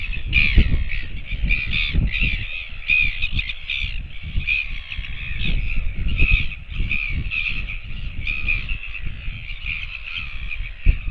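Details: Northern royal albatross recorded 16 August 2024 gives harsh, raspy calls in an almost unbroken stream of pulses, under heavy gusting wind rumble.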